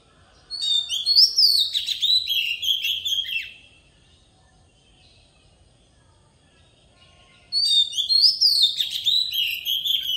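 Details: Forest-style singing by an Oriental magpie-robin lure bird, used to shape young birds' voices: two lively three-second bursts of loud whistles and rapid twittering, separated by about four seconds of near-silence.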